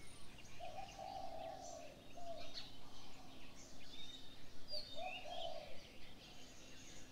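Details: Morning birdsong: two drawn-out low cooing phrases about four seconds apart, with scattered faint high chirps and whistles between them and a steady low hum.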